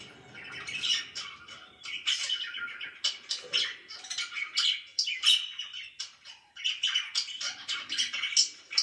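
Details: Morning chirping from pet budgerigars: rapid strings of sharp, high tweets and buzzy warbles, busy and overlapping, with one brief lull before the chatter resumes.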